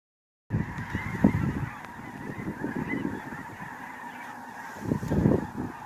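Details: Snow geese recorded in 2019, a flock giving overlapping low, nasal honks in bursts, loudest near the start and again near the end, over a steady background hum.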